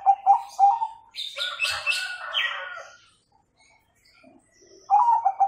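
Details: Perkutut, a zebra dove, coos in a master song for training young birds to sing with the "kung" tone; soft pulsed coos open and close, broken midway by a loud rustling, flapping burst.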